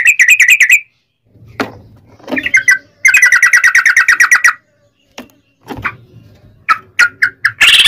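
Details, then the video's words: Lure recording of a sooty-headed bulbul's long 'ropel' trill meant to set other bulbuls singing: rapid chattering trills at the start and middle, broken by scattered sharp clicks and a faint low hum, ending in short bright notes. "trucukan ropel panjang TARUNG PANCINGAN TRUCUKAN agar bunyi"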